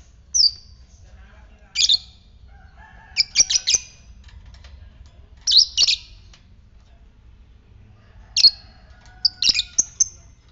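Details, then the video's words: Lovebird, fighter type, ngetik lure for stimulating ngekek: repeated short, shrill chattering bursts and single sharp squeaks spaced every couple of seconds over a quiet background. "Pancingan lovebird ngetik fighter merangsang ngekek"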